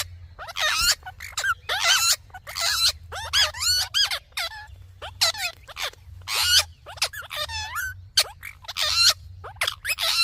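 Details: Ringneck parrot producing a string of speech-like chatter, wavering tonal syllables with slides up and down, uttered in short bursts with brief gaps, sounding like mimicked talking with a few harsher squeaks.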